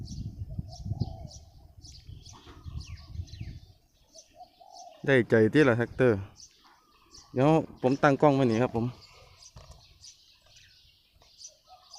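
A Spotted Dove gives two loud, wavering coo phrases, each about a second and a half long, after a low rumble. A man speaks quietly nearby.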